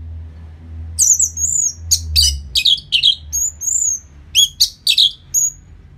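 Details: Orange-headed thrush song from Bali, played after moulting to stir the bird into aggression; high, bright warbled phrases with sharp slurred whistles and short trills in quick succession, with low background hum.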